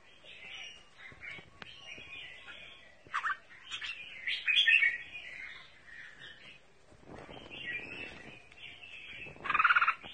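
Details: Red-whiskered bulbul, 'mơ' colour variety, in double-voice song: varied high warbled phrases broken by sharp clicks and short pauses, ending in a loud rich burst.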